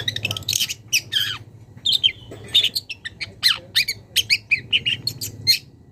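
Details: A young long-tailed shrike from the wild calls to a rival: harsh grating squawks at first, then a rapid run of short whistled and chattering notes, with low rumbling background.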